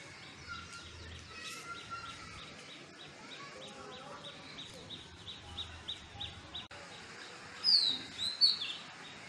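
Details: Indian robin singing in a home garden: a couple of loud, bright, high whistled phrases near the end, over steady faint chirping from other small birds in the background.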